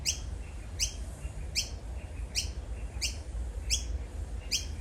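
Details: Noisy miner; begging call; fledgling begging food from parent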